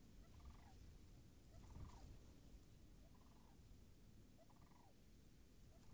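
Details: Sandhill cranes near frozen marsh puddles, March 26, 2019. Four faint trilled rattles, each under half a second, recur about every 1.3 seconds, mostly covered by deep rumbling background noise.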